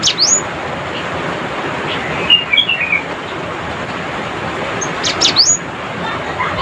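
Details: Cinereous tit, locally gelatik batu, calling rivals: two loud, sharp, high whistled notes that sweep downward, one at the start and one near the end, with a few softer chirps between, over steady broadband hiss.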